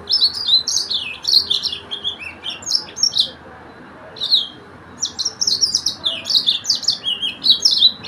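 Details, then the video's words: A yellow-fronted canary (Mozambique) sings a fast, high, sweet twittering warble in long running phrases, with one short pause midway over a faint steady hiss. "تغريد فرخ السودان موزمبيق"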